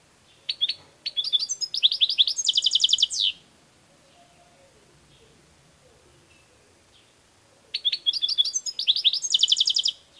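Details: Saka or European goldfinch singing two phrases several seconds apart, each a lively cascade of high chirps and whistles accelerating into a dense, ringing trill that drops in pitch at the end; background otherwise quiet.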